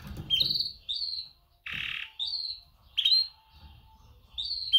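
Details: Repeated clear chirps from a female canary calling males in a mating call. One short harsh rasping burst interrupts the series, and low rustling sounds come at the start.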